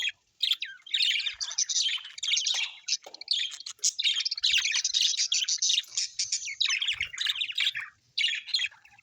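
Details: Happy budgerigars kept as pets chirp almost without pause, a long stream of scratchy, twittering warble and quick tweets, with a few brief gaps.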